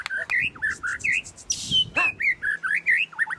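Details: Caged white-rumped shama performing at the Plaza Cup 2015 bird singing contest in Semarang, Indonesia: clear whistled phrases, mostly short rising and falling notes repeated about twice a second, with a brief high buzzy burst midway.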